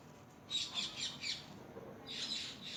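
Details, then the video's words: Newly hatched baby chickens feeding and playing, giving a quick burst of three or four high chirps followed by a blurred, overlapping cluster of peeps after a short pause, over a low steady hiss. "SMALL Baby Chicken Sound,Chirping,Noise"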